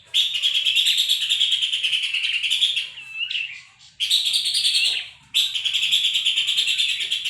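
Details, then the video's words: Horsfield's babbler singing, a recording meant for tutoring songbirds: three bursts of rapid, buzzy, rattling chatter, the first lasting about three seconds, separated by short quieter gaps with a faint twittering note. "Pelanduk Semak cocok untuk masteran burung Cendet dan Murai Batu"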